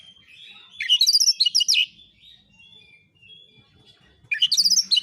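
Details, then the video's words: Oriental magpie-robin (kacer) song in the 'nembak isian' style, used as a lure recording to provoke replies. A burst of rapid, high, varied chirped notes is followed by a quiet gap and then a second rapid burst. "KACER AUTO NYAUT EMOSI KONSLET masteran burung kacer nembak isian"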